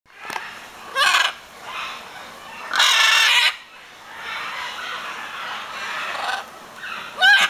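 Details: Macaw met in January in Brazil near Iguazu Falls, letting out loud, harsh, raspy squawks: a short one, then a longer broad screech, and a final sharp cry, over a steady background hiss; laughter follows.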